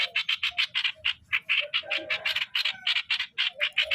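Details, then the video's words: Decoy streak-eared bulbul chattering steadily: dense, evenly spaced scratchy chirps, roughly four or five per second for four seconds, with occasional lower soft notes underneath. "เสียงนกต่อ นกปรอทสวน"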